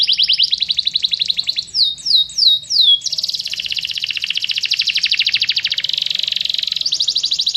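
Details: Canary singing fighting-style training song: a rolling trill broken by four sharp descending whistles, then a long, very rapid buzzing run of repeated notes.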